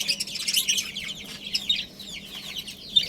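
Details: Budgie family with a breeding pair, Australian parrots, giving continuous high warbling chatter of quick, bright, overlapping chirps, with a faint steady hum underneath.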